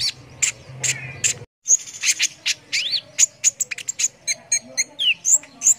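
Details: Energetic brown-throated sunbird song, recorded as a master track for competition birds: sharp high chirps and quick upward-sweeping whistled slurs, with a short silent gap near the start.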